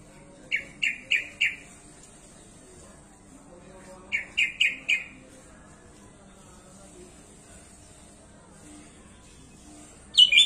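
Sooty-headed bulbul singing two quick bursts of four bright, bubbly notes a few seconds apart, then one higher note, over a faint steady high hiss.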